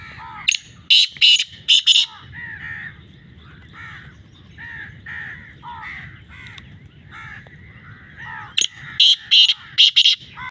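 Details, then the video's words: Black francolin calling loudly, harsh buzzy notes in groups of three or four at the start and end, separated by a stretch of softer chattering from other birds. "kale titar ki mast awaz"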